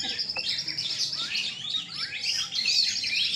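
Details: Oriental magpie-robins (kacer) at a night songbird contest on the gantangan in Rungkut, Surabaya, Indonesia; several contest birds sing together in a dense, overlapping stream of high whistles, slurred trills and rapid chattering phrases.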